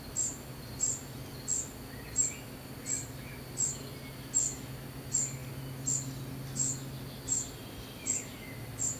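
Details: Fledgling common cuckoo being fed, repeating a short, very high, sharp begging note at a steady rhythm about every 0.7 seconds, thirteen notes in all. Faint lower chirps and a low hum sit underneath.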